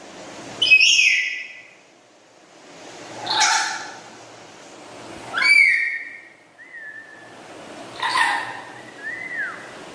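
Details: Pet black-capped lory in loud, lively chatter: four shrill calls roughly every two to three seconds, mixed with short, soft falling whistles.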